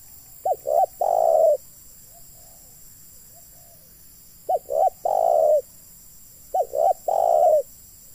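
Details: Spotted dove decoy for luring wild doves into a trap; three coo phrases spaced about three seconds apart, each a pair of short notes followed by a drawn-out coo, with faint soft notes between.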